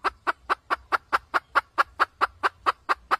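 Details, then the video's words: Red junglefowl hen used as a trapping lure: an even, rapid series of short clucking notes, a bit over two per second, continuous throughout with no pauses. "Tiếng gà mái cục tác siêu nhạy"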